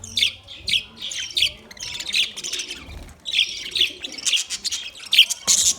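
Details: Budgerigars singing in short bright chirping phrases about every half second, warbled and slightly scratchy, with brief pauses between runs.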